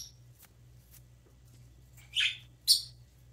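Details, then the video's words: Young pet parrotlet preening and chirping: quiet stretch of soft rustles, then two sharp, high chirps in quick succession near the end, with a low steady hum behind. "baby parrotlet preening and chirping"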